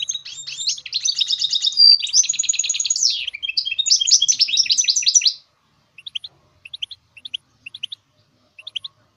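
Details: A goldfinch mule delivers a long, energetic song for motivating songbirds: over five seconds of quick, high warbling trills, rattles and a brief whistle, then scattered pairs and triplets of sharp chirps.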